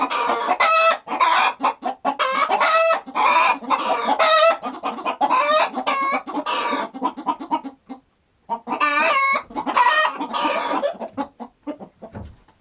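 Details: Chickens on a rural farm clucking and cackling in dense, overlapping bursts, followed by a short lull and then a fresh run of harmonic cackles.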